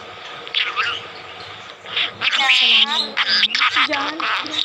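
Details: A pet budgerigar talking in Urdu/Hindi chatters in a rapid, buzzy voice, mixing speech-like mimicked words with high warbling twitters.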